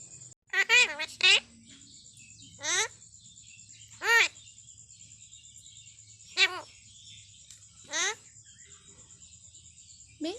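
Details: A pet parrot speaks in short, high, childlike words such as its name, counting "one, two, three" and "egg". About six brief phrases come a second or two apart, over a steady high insect-like whine.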